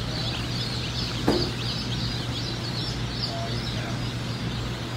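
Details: Cinnamon Queen baby chicks at a hatchery, a crowd of thin high peeps running continuously, one brief thump near the start, and a low droning hum behind.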